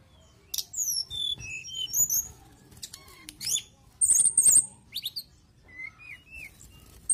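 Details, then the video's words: Mountain tailorbird singing: high, sweet whistled notes that slide downward, a buzzy high trill in the middle, and a few lower rising whistles near the end, with clicks between phrases. "TLEDEKAN GUNUNG GACOR"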